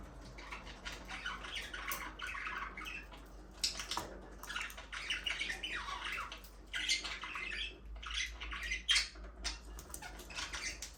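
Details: Budgerigars talking, singing and playing in their aviary: continuous warbling chatter of many birds, with scratchy, buzzy phrases and short rising and falling notes, plus faint background hum.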